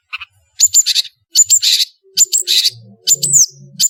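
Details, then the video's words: Lively long-tailed shrike, known locally as cendet, on a tutor recording for training birds: clustered scratchy chirps and sharp high notes in bursts about every 0.8 seconds. A soft low humming runs in the background in the second half. "MASTERAN BURUNG CENDET GACOR"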